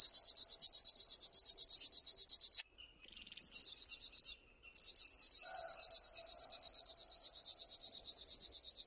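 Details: River warbler song: a dry, insect-like, rhythmic pulsing, high-pitched and fast at roughly eleven pulses per second, delivered in long bursts broken by two short pauses; faint lower whistled notes from another bird appear midway.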